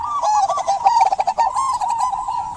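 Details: Short burst of a local zebra dove's lively song, used to get silent doves singing: an unbroken string of rapid, wavering coo notes at one steady pitch, with high twittering from other birds behind.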